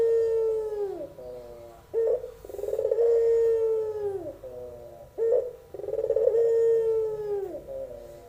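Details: Young albino Barbary dove singing melodiously in pelung style, with long sustained low coos dropping at their ends, alternating with short sharp notes in a steady cycle.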